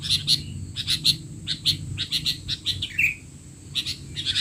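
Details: Sooty-headed bulbul calling in a lively, noisy stream for tutoring young birds: paired crisp chirps repeat rapidly and steadily, with a brief pause before they resume.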